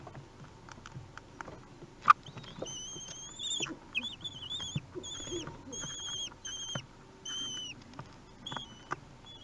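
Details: Common kestrel chicks aged three weeks begging as they are fed at a nest in Théding on 8 June 2021; high quavering whistles in short series after a sharp click, with soft rustling and scraping in between.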